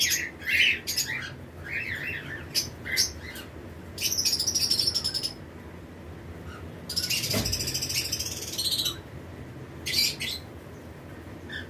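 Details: Lovebird pairs of several colour mutations in a flight colony during breeding season, chirping among other birds: shrill high bursts and buzzy trills in clusters, with a dense stretch around seconds seven to nine and quieter gaps between.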